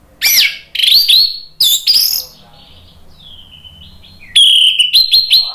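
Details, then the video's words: Orange-headed thrush song used to draw other birds into singing: loud varied whistled phrases with rising and falling slurs, a quiet thin whistle in the middle, then a clear downslurred whistle and sharp chips. "ANIS MERAH GACOR NGEPLONG memancing EMOSI jadi NYAUT BUNYI"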